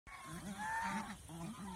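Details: Domestic geese on a farm in Mohanganj, Netrakona, Bangladesh, feeding on banana plants: a nasal, drawn-out honk that rises slightly, with lower rhythmic voice-like sounds running underneath throughout.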